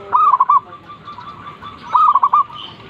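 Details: Two loud zebra dove phrases in the morning, each a sustained soft coo breaking into a trill of short notes, over a steady wash of faint cooing from other doves.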